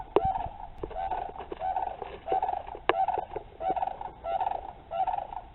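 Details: A pair of sandhill cranes flying past nearby give loud, rolling, rattling bugles, one roughly every half second to second, with a few sharp knocks and handling noise.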